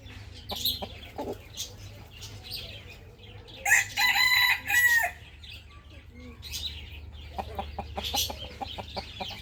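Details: A rooster crows in the morning, a loud, rough, three-part cock-a-doodle-doo in the middle, surrounded by scattered small-bird chirps and quick clicking notes.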